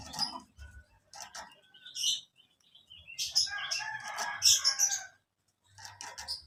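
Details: Young canaries chirping, recorded as lure material for training canaries: busy bursts of varied twittering and scratchy notes building to a dense jumble, then a brief pause, with low thumps underneath.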